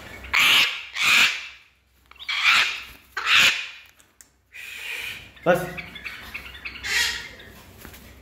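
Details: Four harsh, raspy screeches come about one per second from a silver-crested cockatoo or a baby galah cockatoo, both present, followed by softer chatter and squawks, possibly from the other bird or a person.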